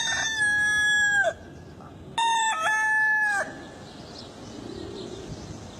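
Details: Rooster crowing twice in quick succession, each a steady, ringing cock-a-doodle-doo of over a second ending in a downward slide, with a soft hiss of background noise.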